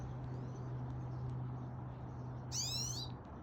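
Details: Pine Siskin at a backyard bird feeder in Calgary, Alberta, at 9:50 am on August 9, 2021: one loud, buzzy, steeply rising call lasting about half a second near the end, after faint thin notes, over a steady low hum.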